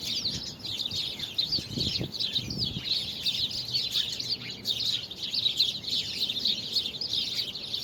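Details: A crowded bird chorus recorded 24 February 2020. Rapid high tweets and trills overlap without pause, and a few soft low thumps come through near the two-second mark.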